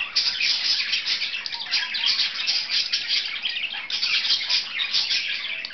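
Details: Pair of pet budgies at play, chattering steadily with scratchy squawks mixed into fast twittering, a nonstop high warble with short pauses near two and four seconds.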